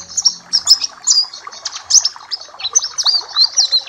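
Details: Papua black-capped white-eye singing for a tutoring and bird-therapy recording, a steady stream of high, quick, slurred whistles and tweets repeating in short phrases, with faint background chatter.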